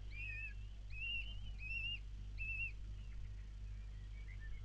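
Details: Common kestrel nestlings, four chicks just hatched, calling while the mother offers food on 4 May 2022; four loud, slightly buzzy arched whistles in quick succession, then softer broken notes over a constant low hum.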